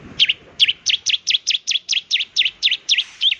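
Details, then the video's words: Bar-winged prinia in full song, intended to prompt other birds to sing: a steady, rapid train of bright, high, down-and-up flicked notes, about four each second, clean against a quiet background. "ciblek semi gacor, ampuh untuk pancingan ciblek semi obyokan agar cepat bunyi"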